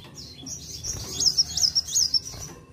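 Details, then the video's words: Van Hasselt's sunbird singing to provoke other birds: a continuous, slightly blurred warble of very high, thin notes with several sharp twisting peaks in the middle, over faint low background hum. "Ampuh Pancing Emosi Kolibri Wulung"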